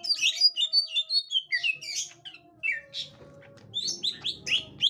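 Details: Green leafbird, captive, meeting a young wild green leafbird: scattered squeaky chirps and slurred notes, a quieter stretch with a low background drone, then renewed sharp chirping.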